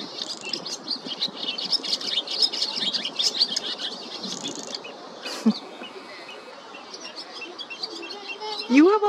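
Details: Barn swallows in California, young begging to be fed, give high, rapid twittering chirps over a steady hiss, with a person's voice briefly heard at the end.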